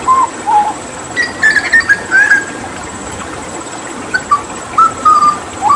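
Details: Hooded butcherbird from Papua during water therapy; pure fluty whistles, some gliding down, others level or rising, spaced out singly and in pairs with quiet gaps between.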